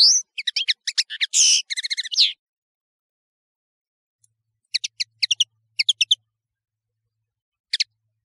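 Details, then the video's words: European serin song, known as nino in Algeria and kamatcho in Morocco, from a tutoring tape: a two-second high scratchy jingle with a buzzy middle, then scattered clusters of short, sharp, high notes after a quiet gap. "تغريد طائر التفاحي"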